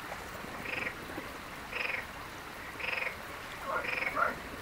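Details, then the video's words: European bee-eaters in the wild in Palestine: four soft, rolling, burry trilled calls spaced about one second apart, with quiet background hiss. "استمتع بجمال وصوت طيور الوروار في اجمل مناطق فلسطين. Merops , Common Bee-eater"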